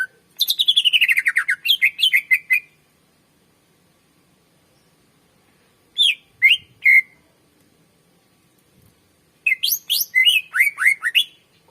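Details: Greater green leafbird, a strong-singing master bird, in a long song recording used to lure and train other birds: bursts of loud, rapid, downslurred whistled notes with harmonics, falling from high to mid pitch, separated by silent pauses.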